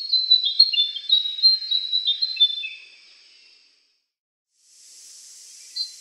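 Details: Andaman bulbul (Brachypodius fuscoflavescens) uttering a quick string of thin, high whistled notes that slide slightly downward, lasting about three seconds before silence and a soft hiss.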